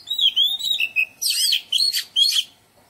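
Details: Oriental magpie-robin in a garden, singing pure looping whistles followed by harsher, scratchy buzzing notes mixed into the phrase, then fading to quiet.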